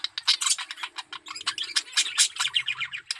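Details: Budgerigar male in heavy breeding condition gives a fast, continuous warble of scratchy chirps and clicks, pulsing quickly with little pause, a faint low hum beneath.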